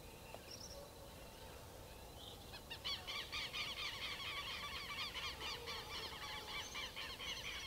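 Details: Chalk-browed mockingbird (sabiá-do-campo) singing: after a quiet start with a few faint high notes, loud harsh rasping notes begin near the midpoint and repeat rapidly, about four per second, over steady background hiss.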